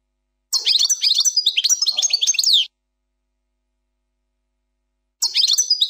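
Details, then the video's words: Goldfinch song in the Plak Mine style, error-free: a two-second burst of fast, high tinkling twitters and slurred whistles, a long silence, then the next burst beginning. "chant plak mine ,canto del jilguros plak mine,غناء حسون بلاك مين بدون غلاطات"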